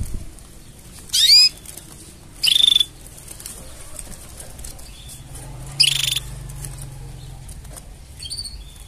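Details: Canary singing mating sounds: three separate loud bursts, each a sweeping note that runs into a rapid even trill, spaced a second or more apart, with soft chirps and low background hum between.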